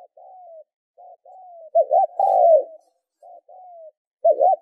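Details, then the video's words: Spotted dove calling, used in Vietnam as a lure to excite and train decoy birds: soft clipped notes with sliding, falling whistles lead into a loud two-humped coo and a long descending coo, a pattern heard twice. "tiếng chim cu gáy kích mồi tập bổi hiệu quả"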